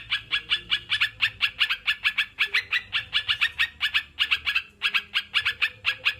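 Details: Sooty-headed bulbul, played as therapy to prompt kept birds to sing: a dense run of short, bright, harmonic chirps, evenly spaced at several per second with brief gaps, over a faint low hum.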